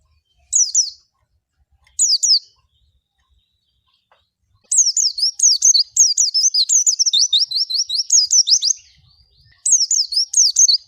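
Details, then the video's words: Oriental white-eye (pleci) singing: two short high twittering bursts, then a long run of rapid, thin, sweet up-and-down warbled notes, a pause, and a final twittering phrase, with a quiet background. "SUARA BURUNG PLECI"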